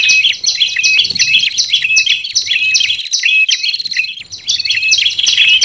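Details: Olive-backed tailorbird lure sound with red-headed tailorbird voices, used to attract wild birds in forest: fast high chirps and short whistles, a short quieter gap near the middle, then dense chirping again.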